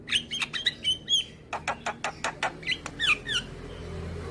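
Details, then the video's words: Nodding young black-winged starling in song: a few slurred whistled notes, then a regular train of dry clicking ticks roughly every fifth of a second, ending with downslurred whistles and harsh notes. "Pancingan Burung Jalak Malas Bunyi dengan Kicauan Jalak Kebo Muda Gacor Manggut2"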